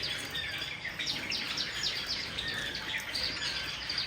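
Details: Java sparrows, including silver and white forms, taking a bath; a steady stream of short, high, clipped chirps from several birds overlaps throughout, with a faint background hiss.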